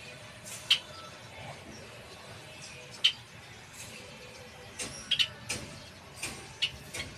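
Java sparrow giving sparse, sharp clicking notes at irregular intervals, several close together near the end, over a low steady background hum.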